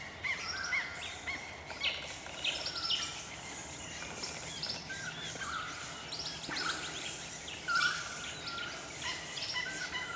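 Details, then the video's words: Part of a gathering of about 120 Swift Parrots feeding on flowering Spotted Gum blossom in early sun near Ellalong, Lower Hunter Valley, NSW, giving thin high chirps and piping notes in overlapping bursts; Little Lorikeets and Noisy Friarbirds call behind. "Swift Parrots"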